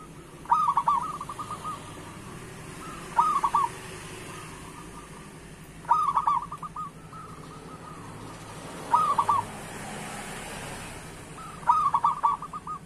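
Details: Local zebra dove song meant to set other doves singing: five crisp phrases of quick, bubbling coo notes spaced about three seconds apart, each followed by quieter trailing coos, over a soft hissing, humming background.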